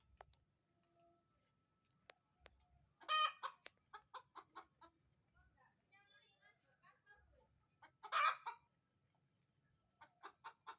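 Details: Chicken voice among other sounds: bursts of loud, raspy squawks at two points, each trailed by a run of quick clucks, with softer chatter and scattered clucks in between.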